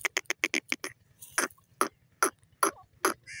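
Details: Grey francolin calling: a rapid burst of sharp clicking notes, then loud harsh ringing calls repeated roughly every half second.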